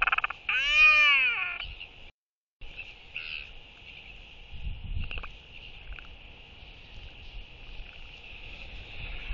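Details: Royal albatross skycall during courtship between a pair: a loud drawn-out arching wail at the start, then scattered soft calls under steady wind noise.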